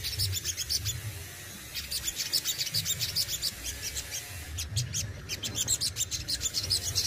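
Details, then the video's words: Kept Crested Jay from Indonesia in full gacor song with besetan and tembakan: bursts of quick, high, sharp chirps strung together, broken by brief gaps, with faint low hum underneath. "SOGON ISTIMEWA ,BESETAN DAN TEMBAKANYA WOW BANGET || SOGON RAWATAN GACOR"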